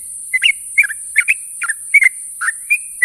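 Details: Short burst from a sooty-headed bulbul calling companions in the morning: about seven clear, slurred whistled notes spaced roughly every half second, some doubled, with a light hiss in the background.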